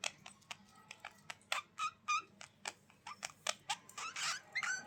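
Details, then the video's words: Budgerigars chattering indoors, a quiet stream of short sharp chirps and squeaks in fast, irregular succession, with a low steady hum underneath. "Budgies Sounds for lonely birds to make them Glad"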